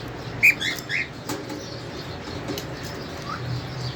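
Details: A cockatiel gives a few brief, high chirps in quick succession while eating, with soft rustling behind.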